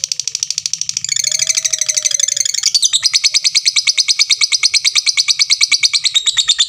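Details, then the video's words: Lovebird delivering a long, unbroken ngekek: a fast, steady, high chattering trill of rapid pulses that speeds up and grows louder after about three seconds and lasts the whole stretch. "suara lovebird tik tik tik lanjut ngekek ngekek panjang"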